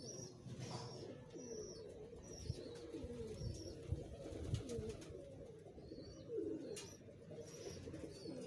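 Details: A pair of Teddy pigeons, a domestic breed. Rolling low coos swell and bend downward in repeated phrases across the clip. Several sharp clicks sound, and thin high chirps of other birds come through faintly in the background.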